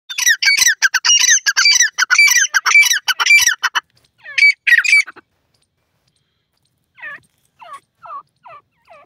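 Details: Francolin calling: loud, harsh, grating cackle of rapidly repeated stacked notes in a fast series for about four seconds, a short burst after a pause, then fainter, softer scratchy notes spaced about half a second apart.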